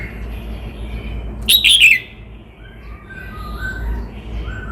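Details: Red-whiskered bulbul from Cao Bang singing one loud, slurred whistled phrase that drops in pitch, followed by a series of soft, lower, distant whistles from other birds.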